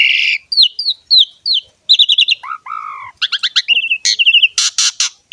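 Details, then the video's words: Gacor song of a jalak suren, or Javan pied starling: repeated hooked whistled notes, quick chirp runs, two low slurred whistles, then rapid twittering and loud harsh bursts. "BURUNG JALAK SUREN GACOR NGEREK ISTIMEWA"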